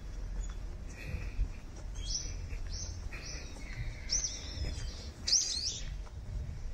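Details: Brown-eared bulbuls playing among cherry trees in full bloom: a run of bright, high down-slurred whistles, then sharper squeaky chirps near the end, with a low background hum throughout.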